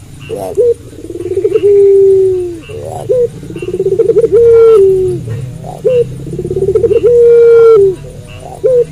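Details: Puter pelung dove cooing at night. Repeated phrases of a stuttering run followed by a long held coo, with short sharp notes between them. A low background murmur runs underneath.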